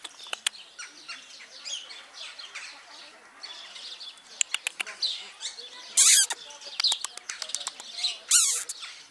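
A superb starling chatters in varied high, scratchy notes and whistles, with two loud harsh bursts standing out among other faint bird chirps.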